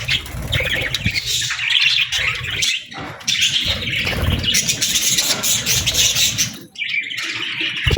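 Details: Busy feeding-time chatter from budgies: rasping chirps and warbled notes run almost nonstop, dropping out briefly near three and seven seconds, with a low rumbling undertone.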